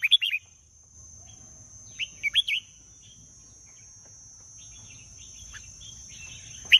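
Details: Red-whiskered bulbul giving a brief opening of three loud whistled notes, then a second group of three bright chirps about two seconds later, followed by faint distant twitters and a final sharp note, over a thin constant tone.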